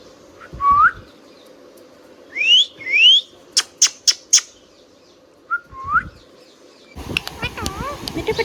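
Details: Pet Indian ringneck parakeet whistling: short upward-slurred whistles, a pair of rising sweeps and a quick run of four sharp chirps. Dense mixed chattering and clicking sounds fill the final second.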